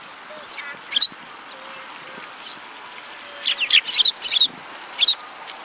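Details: Sparrows chirping: scattered short bright chirps, single at first then in quick clusters of two to four near the end, over a quiet background.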